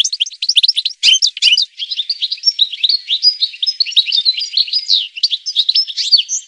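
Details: European goldfinch in full song, pouring out a continuous, scratchy, twittering warble of mixed high notes, with a few harsh bursts near the start.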